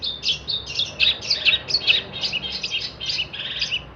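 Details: Long-tailed shrike in full song for training other songbirds: dense, scratchy medley of chirps and twittering notes, about two per second, tumbling over each other without pause.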